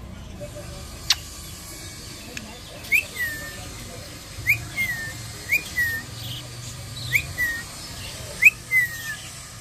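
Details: Baby budgerigar, 6 December 2023, giving short, sharp rising chirps that fall away, repeated about every second and a half.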